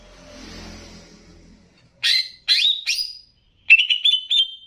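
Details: Greater green leafbird, Banyuwangi type, in a training recording mixed with bebeci. Two seconds of soft rustling hiss, then three harsh, noisy chirps, a pause, and a quick trill of clear rising whistles.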